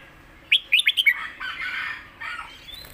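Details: Contest red-whiskered bulbul sings a quick burst of five bright whistled notes in its master-pattern style, followed by a softer, blurred warbling stretch.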